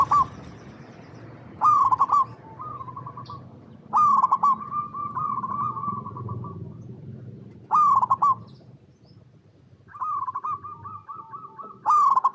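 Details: Local zebra dove song used as a lure to get other zebra doves singing. Loud, stammering coo bursts come roughly every two to four seconds, each trailing into softer rolling trills, over a steady low hum.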